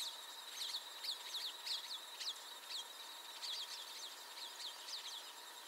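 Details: A Plumbeous rail (Pardirallus sanguinolentus) gives sharp, high squealing notes in quick clusters of two or three, repeated throughout over a steady background hiss.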